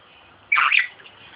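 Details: A male Princess Parrot kept as a pet, climbing his owner to attack a laptop, gives a single harsh, raspy squawk about a third of a second long over quiet indoor background noise.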